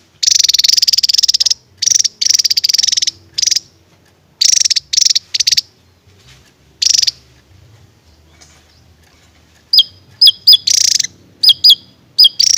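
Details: Javan tesia singing in a rapid shooting style: a long series of dense, high, buzzy rattling bursts, then sharp whistled chips mixed with short buzzy notes in quick succession.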